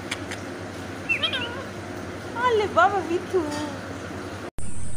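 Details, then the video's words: Indian ringneck parrot whistling: several slurred, rising and falling whistles in short phrases, with human speech and background noise, ending in an abrupt cut. "Loud Indian Ringneck parrot screaming and whistling"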